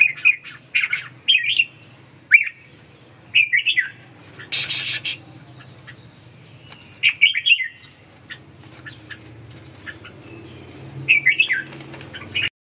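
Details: Training session for a caged red-whiskered bulbul recovering strength, practising ché song: several spaced, rolling warbled phrases, one brief harsh rustling burst midway, then a long quieter stretch before a final phrase.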